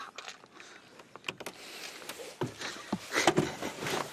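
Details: Clicks, knocks and a whirring power window inside a safari vehicle, with no animal calls heard.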